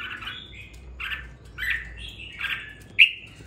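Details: Caged red-whiskered bulbul after two weeks of care, finding its voice with some fire: linked slurred chirps and warbles, ending in one loud, sharp whistled note, over a low steady hum.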